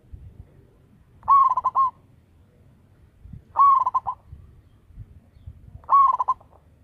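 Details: Local zebra dove kept as a loud lure caller delivers three evenly spaced coos, one about every two and a half seconds. Each is a short, bubbling phrase of rapid stuttering notes, set against quiet low rumble.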